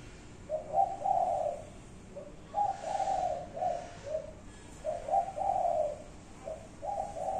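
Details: Spotted dove repeating its five-note cooing, 'cục... cu cu... cu... cu': soft low hoots grouped into phrases, about four phrases with short gaps, a faint hiss in the background.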